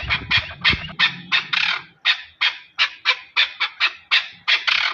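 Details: Harsh, rhythmic chuck notes from a Chukar partridge in Pakistan, roughly three a second, with a few paired notes and a brief low thump at the start.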